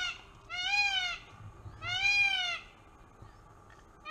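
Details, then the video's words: Peacock at the LA Zoo, looking for a mate, gives two loud, drawn-out nasal wails about a second apart, each rich and harmonic with a rise and fall, over a low background hum. "Peacock Mating Call LA Zoo"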